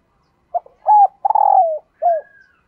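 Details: A female dove coos to lure males. Short low notes lead into a sustained, slightly rough coo that falls in pitch, then a last brief coo. A faint thin whistle-like tone trails after it.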